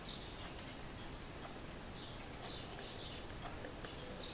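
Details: Adult female and juvenile great spotted woodpecker at their nest hole, Üröm, Pest County, Hungary, in June 2014; abrupt, clicky high-pitched notes recur irregularly, roughly every one to two seconds, against constant background noise.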